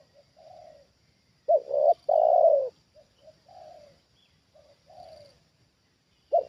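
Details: Trained spotted dove used in bird luring, reacting as a wild bird comes down for the second time: loud two-part coos, a short clipped note then a long swelling one, alternating with softer, lower-volume coo phrases, over a steady high insect-like hum.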